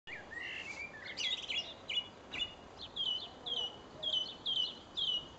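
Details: Song thrush singing from a perch in a tree in Pessac, Gironde, France: bright, varied whistled phrases, then a short sharp motif repeated about twice a second, over a soft background hiss.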